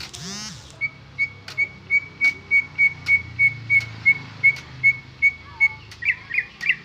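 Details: Greater green leafbird, original unembellished song: a long, regular series of about sixteen crisp whistled notes, roughly three per second, ending in a few warbled twists, after a brief sweeping sound at the start.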